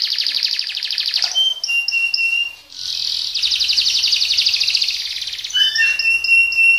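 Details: Colour canary in full speed-roll song, long dense rattling trills alternating with short clear whistled notes and a few repeated pure tones, with faint low rumble in the background.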